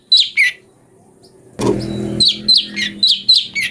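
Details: Cucak cungko variation for magpie-robin training: two sharp chirps, silence, a burst of passing vehicle noise, then a fast run of bright, bouncy chirps.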